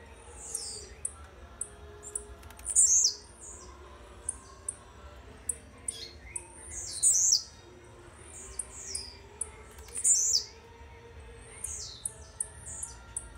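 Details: A young blue-black grassquit from Jacarepaguá, Rio de Janeiro, singing slowly, gives short, very high, buzzy bursts every three to four seconds, with soft chirps between them over a low steady hum.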